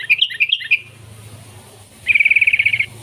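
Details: Sooty-headed bulbul (kutilang) song used as a lure to call wild bulbuls: a few bright chirped notes, a pause, then a fast rattling trill of about a dozen even notes.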